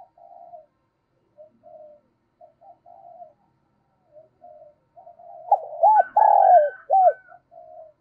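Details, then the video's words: Decoy spotted dove calling wild birds in, giving scattered soft low coos, then one loud closing phrase of looped coos and a drawn-out trill, with faint higher notes above. "Chim Cu Mồi Gáy Gọi Cực Đỉnh, tiếng chim cu gáy kích bổi hiệu quả mỗi ngày"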